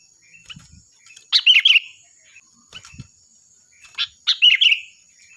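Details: Sooty-headed bulbul song used as a training model for other birds: loud, clear bubbly phrases of quick chirped notes, two bursts about three seconds apart, with faint softer notes between.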